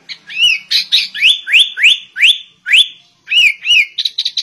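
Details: Sooty-headed bulbul in a white-rumped shama style, delivering a steady string of loud upswept whistles about three per second. Softer curved notes and a quick stuttering flourish follow at the end.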